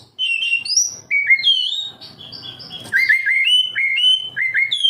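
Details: Kacer, the oriental magpie-robin, singing to prompt captive birds: clean whistled notes, some slurred downward, delivered in a steady string of short repeated phrases.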